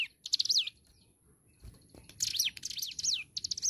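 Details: Lively song of a hill prinia (ciblek gunung): a stuttered phrase with a falling whistle, a second of quiet and a faint thump, then a fast series of high buzzy bursts, each ending in a downward whistled slide.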